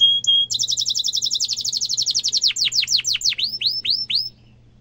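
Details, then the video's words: Young-canary tutor song from a canary: a steady whistled note, then a rapid high trill slowing into separate downward-swept chirps, over a faint steady low hum. "Kenari gacor ngerol tajam suara kesukaan kenari muda gampang ditiru efektif untuk masteran kenari"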